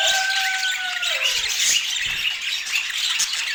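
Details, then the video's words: Budgerigars chirping while feeding: dense, continuous high chatter and warbling, with a steady two-toned whistle that slides downward and fades during the first second. "Daily Healthy Food Routine for Budgies with Sweet Chirping Sounds"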